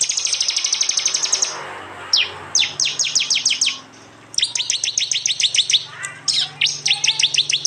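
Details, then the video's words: Prinia song from East Java, captured on an Android phone and blended into a masteran for songbirds: a dense high rattle, then sequences of steeply downslurred chips repeated several times per second with short pauses. "Tembakan prenjak jali keras"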